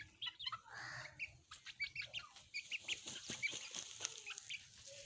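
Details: Pet chicks and hens at play, giving a quick run of short, sharp peeps and chirps with a few soft clucks, packed closely over a few seconds amid light scuffling noises.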